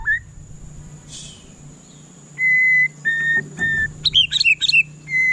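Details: White-rumped shama song: a few quiet notes, then loud, steady whistles near one pitch, each held about half a second, followed by a burst of quick high twisting notes and another long whistle; steady background hum.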